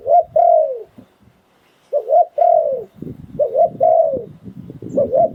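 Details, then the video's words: Spotted dove decoy bird cooing in the liu tan style. Phrases of two short coos and a longer falling coo repeat, while low rustling and handling noise grow in the second half. "เสียงนกต่อดิน 2022 สายโผน หลิ่วตัน"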